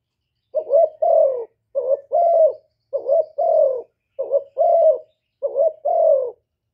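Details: Vietnamese decoy spotted dove from Cà Mau calling to attract wild doves: five rounded two-note coo phrases, each a short rising note followed by a longer descending one, steady rhythm.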